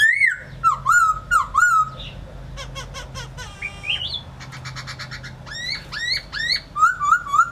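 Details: A laughingthrush delivers a busy medley of swooping whistled phrases, staccato rattling clicks and a buzzy trill, ending in paired up-and-down whistles, with a steady low hum in the background.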